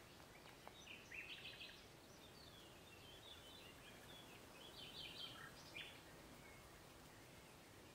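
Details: European bee-eaters at the Soča river mouth nature reserve on 1 June 2023 give soft, rolling, liquid 'prrip' calls in a few scattered bursts, heard faintly over a steady hiss of wind and background noise.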